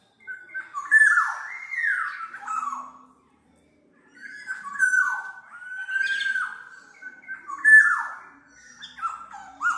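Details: Black-naped oriole song used for luring and as a training model: mellow whistled phrases with downward-sweeping notes, delivered in three groups separated by a short silence, some harsher buzzy edges.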